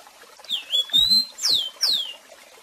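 A rusty-collared seedeater gives a clear, high whistled phrase: one long wavering note, then two quick downslurred whistles, over faint background hiss.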